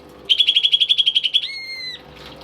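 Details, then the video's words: Greater green leafbird kept as a tame pet, in full song: a quick rattling series of a dozen bright pulsed notes runs straight into a sustained, level whistle that dips slightly before ending. "BURUNG CUCAK IJO gacor dan jinak cocok buat masteran burung isian nih!"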